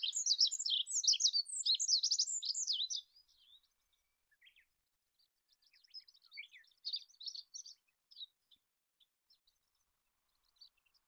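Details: Olive-backed pipit singing a dense burst of high, sibilant, scratchy twitters for about three seconds, followed by a quieter, scattered series of thin chirping notes with pauses between them.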